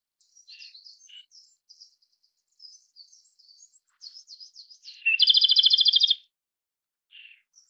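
Japanese Robin sings a loud, rapid, high rattling trill of about a second, after a run of faint, thin chirps and twittering notes.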